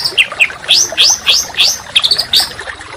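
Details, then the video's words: Songbird training song for contest birds: loud, sweeping upslurred whistles repeated about three times per second, ending in a quick flurry of higher notes. "Masteran Burung Kicau Tembakan Rapat dan Kasar"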